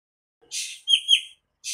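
A nightingale gives a brief song fragment: a harsh, rasping burst, then two clear, slightly rising whistled notes, then another raspy burst.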